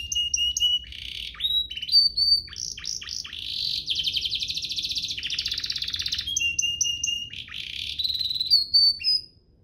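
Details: Canary song meant as a master for young canaries and to spur singing: clear whistles, steep sweeping notes, a long rolling trill lasting several seconds, then high whistled phrases fading out.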